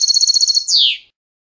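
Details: Canto limpio, the clean contest song of a European goldfinch, for teaching young birds: eight quick pulsed notes in an even row, then a single downward-sliding buzzy note.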